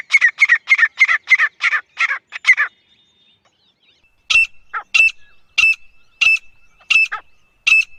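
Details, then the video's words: Grey francolin, possibly a female voice used as a hunting call, gives loud, harsh repeated notes: a rapid run of about eight, a pause, then slower squeaky calls roughly every two-thirds of a second. "Francolin calling Voice"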